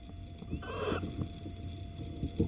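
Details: Little owl at Holten, 9 April 2020 at 07:10, as the male brings an earthworm: a single short, mewing call, slightly wavering and nasal, rising briefly over a steady low rumble and faint knocks.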